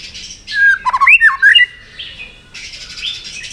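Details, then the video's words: White-rumped shama provoked into fighting song: a burst of quick jumbled whistles and rattling notes between softer, rougher chattering sounds. "Chòe Lửa Đánh Đuôi Sàn Cầu Kích Lửa Hót Căng. luyện Chòe lửa hót đấu"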